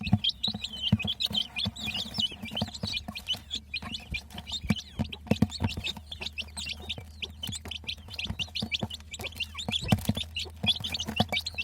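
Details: Chorus of young chicks peeping nonstop, shrill short notes tumbling over one another at a steady, dense pace, over a constant low hum and occasional knocks.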